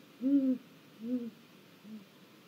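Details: Great grey owl calling from a snag in Mission Valley on 1 April 2022, live camera: three deep hoots, each softer and shorter than the one before, trailing off into quiet.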